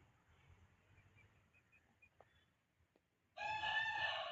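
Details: Domestic hens. Three seconds of faint background chirps, then a loud, harsh, harmonic squawk that fills the final second.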